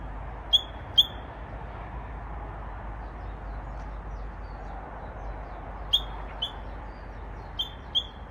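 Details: ['Possibly young Japanese bush warbler practising an unusual song: two sharp high notes, a silence of nearly five seconds, then four more short falling-onset chips, over steady low background rumble.']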